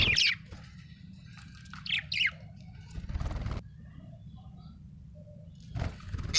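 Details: Budgerigar in a happy mood, uttering a few scratchy, downward-sliding high chirps in a loose cluster, then a pause with a low rustle before a final brief high note.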